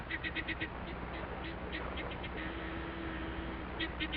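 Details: A male Helmeted Guineafowl (Numida meleagris) in Namaqualand, a dry region of southwest Africa, gives an alarm call signalling an intruder: harsh, rapid clucking bursts in quick clusters.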